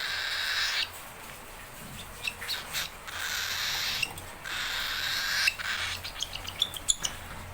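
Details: Young hand-fed cockatiel, hungry and calling out for its owner: drawn-out harsh hissing screeches, each about a second long, interrupted by short ticking clicks and brief chirps, over a low steady background hum.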